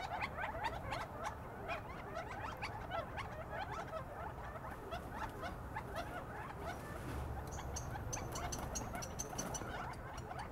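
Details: Over fifty quail gathering in a palm tree at dusk in the California desert near Joshua Tree to roost: a steady stream of brief, overlapping chirps over low rumbling background noise and dry rustling of fronds and wings.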